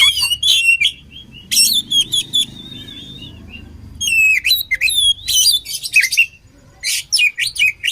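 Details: Training song of an oriental magpie-robin, a combination of styles: loud chirped and whistled bursts, a drawn-out steady whistle, a pause, then fast repeated trills and buzzy notes.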